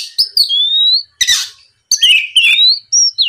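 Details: Oriental magpie-robin song used as a lure to provoke rival birds into answering: bright whistled phrases sliding downward, a harsh buzzy burst, then rising and falling whistles in quick separate bursts.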